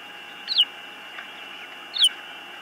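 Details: Osprey calling at its nest on a webcam, 19 April 2024: two clear, piercing whistled notes, each sliding downward, about one and a half seconds apart, over a steady background hum.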